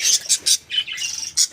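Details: A small home colony of parakeets giving short, bright, scratchy chirps in quick bursts, several overlapping notes with brief pauses, then a lower buzzy warble in the middle before sharp chirps return.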